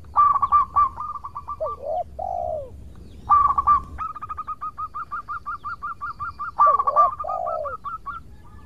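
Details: Zebra dove of local stock singing to draw responses from rival birds: three phrases of rapid even staccato notes, two ending in lower curved rolling coos, over faint background hum.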